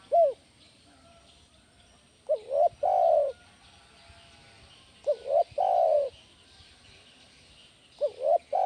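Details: Spotted dove call meant to lure and train other doves: repeated phrases of a short coo, a brief note, then a long drawn-out coo, recurring about every three seconds; background otherwise quiet with faint hiss.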